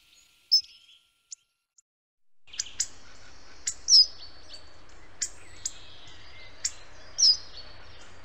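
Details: Hawfinch, Coccothraustes coccothraustes: short, sharp, high metallic ticks, sometimes doubled, given at irregular intervals about every second or two, over a faint steady background hiss.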